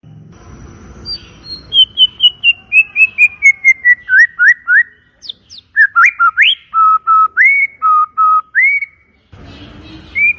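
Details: White-rumped shama in full song: a long descending series of rapid whistled notes, then varied slurred and upswept whistles in a lower register, with brief rustling before and after.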